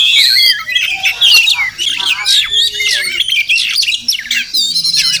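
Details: Oriental magpie-robin (Murai Kampung), wild, visiting a village house each morning; rising clear whistles open a rapid jumble of chirps, wavy trills and buzzy notes, uneven in rhythm and continuous throughout.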